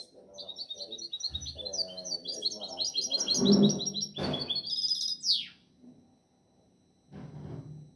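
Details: Goldfinch hybrid, seven months old, delivers a fast, continuous high twitter of repeated chirps and short trills, ending in a rising squeaky phrase, over a background of speech and household noise.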